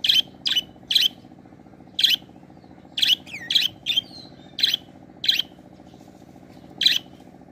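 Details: Budgerigar calling: short, sharp high chirps repeated at irregular intervals, roughly one to two a second, over a steady low hum in the background.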